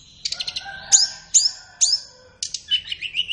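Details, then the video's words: Short flowerpecker tutor song for captive birds in the morning or afternoon. Quick ticks lead into three loud, sharp high notes about half a second apart, then a lower wavering twitter. "SUARA BURUNG - Masteran Terbaik Tledekan"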